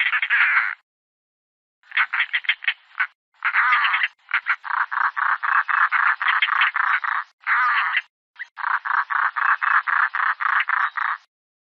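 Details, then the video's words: A European roller gives harsh, grating rak-rak notes in fast rattling runs of about four per second, broken by brief pauses; nothing else is heard. "European roller calls"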